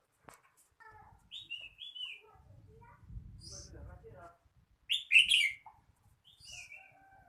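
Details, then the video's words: Red-whiskered bulbul with one emphatic, warbled whistle burst near the end, preceded by faint chirps, thin whistles and a low rumbling noise. "chào mào hót"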